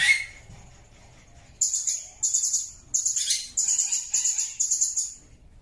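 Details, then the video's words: Natural Blue-crowned hanging parrot sound, used to tutor songbirds and spark their singing. A single whistle opens, then a lively string of very high, buzzy twittering bursts follows almost without pause. "MASTERAN SUARA BURUNG SERINDIT"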